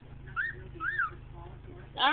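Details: A pet cockatiel, asked by its owner to whistle, answers with two clear, arching whistles ending in a brief harsh burst.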